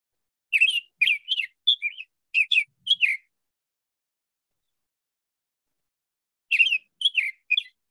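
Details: Summer Tanager, just returning in April in central Alabama, sings a robin-like song of short, slightly burry whistled phrases with short pauses, about seven in quick succession, a long pause, then three more.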